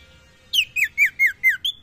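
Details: Common iora calling females: after a quiet start with faint low hum, six loud, harsh downslurred notes follow about every quarter second, the last one shorter and flatter.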